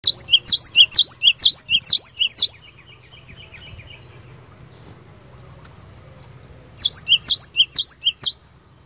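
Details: Cinereous tit, a fighter bird in full song meant to make other birds answer at once: two bursts of rapid, high, sharp two-part notes, about six in the first run and four after a silent gap, over faint low hum.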